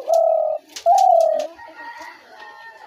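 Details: Spotted dove calls, as used to lure doves into traps: two loud, drawn-out, even coos, each about half a second, separated by a brief gap, followed by faint murmuring background sounds.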